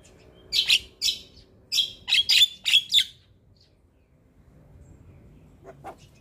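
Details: Champion black-winged starling of the white-eyed type in a morning tutoring recording with fill-in phrases: a handful of loud buzzy chirps with a thin whistle, then near silence with one faint note.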